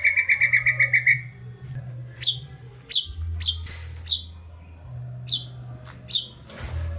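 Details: White-rumped shama, a fully varied singer played to stimulate lazy shamas: opens with a rapid run of about ten short whistled notes, then sparse sharp chip notes at intervals, against a low hum.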